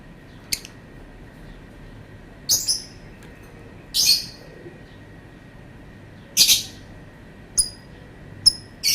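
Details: Lovebird calling persistently, mixing loud, harsh, scratchy screeches a second or two apart with occasional short, thin, high chirps, against a quiet background.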